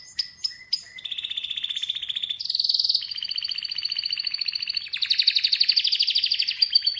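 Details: Atlantic canary song opening with a few sharp chips, then a sequence of rapid rolling trills that shift pitch upward and back, each phrase a fast rattle of high notes.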